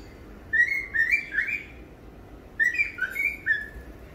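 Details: Pet cockatiel singing on a rainy morning: two bursts of clear whistled notes around mid-pitch, short rising and falling slurs strung together, separated by a pause of about a second.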